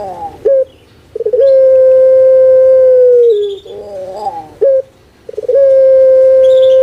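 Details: Caged puter pelung, a famous Javanese singing dove, performing its characteristic kuk gerukkk kwokkk voice: a low throaty opening, a brief clipped note, then a very long level coo held nearly two seconds, repeated with a gurgling roll between.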